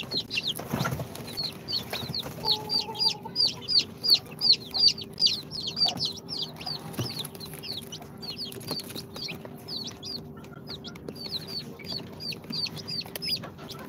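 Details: Two-day-old chicks from an incubator, Sultan, Golden Sebright, Cochin and booted breeds, peep in a long regular series of high falling notes, close to three per second, fading toward the end, over a constant low hum and occasional bumps.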